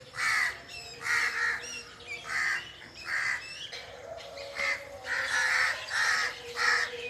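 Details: Birds calling in a forest: harsh, raspy calls in quick bursts, about eight across seven seconds, some overlapping as if from several birds, with a faint steady hum beneath.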